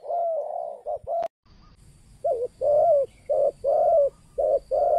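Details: Local 'kuk 2' spotted dove calling, for luring wild spotted doves: loud, mellow coos in alternating short and longer notes, with a sharp click and a brief gap early on.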